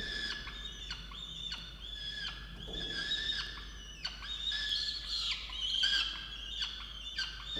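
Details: Nest-box peregrine falcon, Orange, New South Wales, recorded 8 November 2022, complaining angrily to its mate about breakfast; strained, nasal wailing with harmonics, some downward-bending notes and louder peaks near the end.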